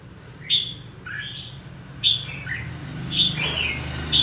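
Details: Red-whiskered bulbul giving four short bright whistled phrases, roughly one per second, each a sharp high note dropping into a slurred lower whistle, against a faint low hum.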